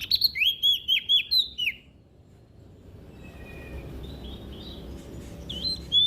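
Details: Olive-backed tailorbird from West Nusa Tenggara singing in full voice, used as a lure to get reluctant birds to sing: a quick run of bright, whistled, slurred notes in the first two seconds, then faint softer notes over low background rumble.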